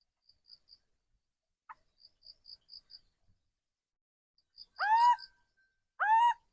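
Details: Caged decoy laughingthrush, a seasoned forest-wise bird, giving two loud, full, slurred whistles near the end, each bending down then up with rich overtones. Before them, faint soft ticking notes from another small bird repeat in short runs.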